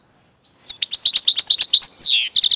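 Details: Goldfinch and canary hybrid mule singing a loud, fast series of bright chirping notes, about a dozen sharp syllables in quick succession, then a long descending slur and a final burst of quick high chips.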